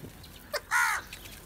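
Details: ['Crow gathering with others for food, squabbling over it; one short, harsh, buzzy caw rich in overtones, preceded by a faint brief note, over quiet outdoor background.']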